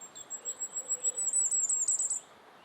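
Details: Firecrest song in Estonia: a thin, very high series of needle-like notes that quickens and intensifies over about two seconds, then stops, over faint background hiss.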